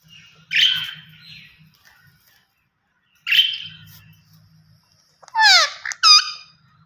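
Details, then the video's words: Two coarse, honking squawks spaced about three seconds apart, then a pair of sharp falling screeches typical of the green ringneck parrot close the recording. "Gareen Ringneck Parrot Natural Sounds Vice"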